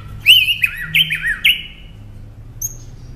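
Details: Northern mockingbird song prepared as tutoring material for caged songbirds: four loud, bright whistled notes in quick succession, each with a warbling turn, followed by a thin high note after a short gap.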